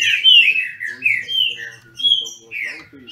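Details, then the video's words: Green-winged Saltators kept in captivity in Brazil duel in song. Strong, mellow whistled notes come in spaced bursts about every half second, sliding downward, over a faint low hum. "Trinca ferro disputando!!!"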